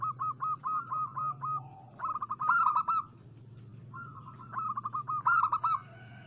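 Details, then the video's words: Zebra dove of the local type, heard as a lure recording meant to prompt other doves to sing. Fast strings of short, clipped coos run in quick rhythmic runs, with two louder bursts breaking through, and low hum beneath. "Suara pancingan burung perkutut lokal gacor"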